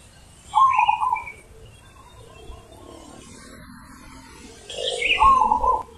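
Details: Deep-voiced 'ulem' zebra dove song outdoors: two quick, rolling low coo trills about four seconds apart over a murmur of other faint bird calls and background noise.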